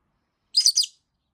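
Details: Loud, rasping triple-pulsed squawk from a rosy-faced lovebird kept indoors, calling without stopping after a week without play; silence around it.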